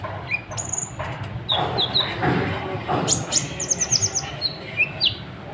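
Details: Sunbird (kolibri ninja) in full varied song meant to provoke other birds: high sweeping whistles, short descending notes and rapid chip series, with a low background rumble and some clatter.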